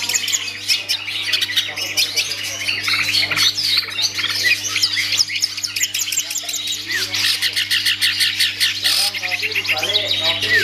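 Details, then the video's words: Kept long-tailed shrike (cendet) performing a dense, chattering song of rapid high twittering notes and short whistled phrases, packed almost without pause, over a steady low electrical hum. "Aksi Cendet"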